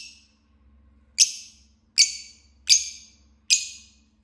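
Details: Lovebird giving sharp, loud, raspy high chirps one at a time, roughly every 0.8 seconds, each ending in a brief fading tail, over a quiet low electrical hum.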